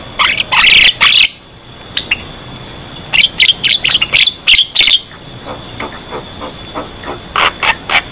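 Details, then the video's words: Asian pied starling in full song, played as a lure to get other starlings singing and as training material: bursts of harsh, scratchy noisy notes in clusters, a quieter gap between, then more short rasping notes, over a faint steady high tone. "Suara Jalak Kebo Gacor Buat Pancingan"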